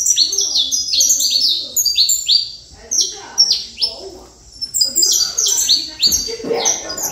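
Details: Saffron finch singing bursts of rapid, high, downslurred chirps that step down in pitch, broken by short pauses, with faint lower chirping underneath.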